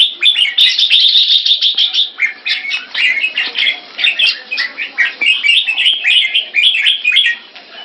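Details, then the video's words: Red-whiskered bulbuls in cage training, singing continuous chattering, whistled phrases that overlap, busy and varied, with faint higher chirps in the background. "นกหัวจุก Secret Weapon (SOLD) vs Knightrider - Keke Training"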